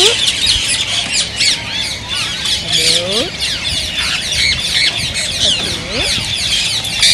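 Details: Rose-ringed parakeets calling to stimulate singing and mating in other parakeets; a thick mass of shrill screeches, with two lower, sweeping descending calls standing out midway and near the end.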